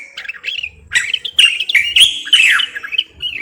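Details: Moroccan bulbul pouring out a fast, jumbled warble of loud whistles, buzzy chirps and downslurred notes, building to a dense, excited burst.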